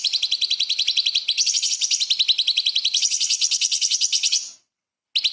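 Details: Training recording for shamas and magpie-robins: a light-vented bulbul (cucak cungkok) pouring out 'tembakan' song laced with small-bird phrases, a long run of quick high staccato chirps, then silence and a fresh burst.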